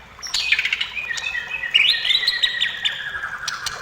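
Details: A white-rumped shama sings, meant to lure other shamas into singing: high sharp opening notes, then long level whistles with fast trilled ornaments and scattered clicks.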